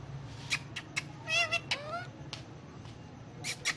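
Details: Indian ringneck parakeet kept as a pet, talking in Urdu/Hindi while on pillows. Scattered dry clicks surround two wavering, buzzy speech-like phrases, with a faint background hum.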